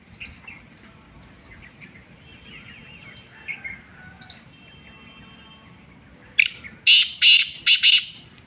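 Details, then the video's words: A black francolin from Sindh, Pakistan delivers a harsh phrase of about five loud, buzzy, grating notes near the end, preceded by quiet high chirping of small birds. "kala teeter Sindhi Pakistani"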